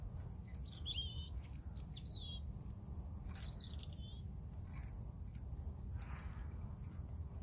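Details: Clear phrases from a European robin: sharp high whistles and descending, wavering notes follow one another fast in the first four seconds. Quieter scattered notes come later, with constant low background rumble.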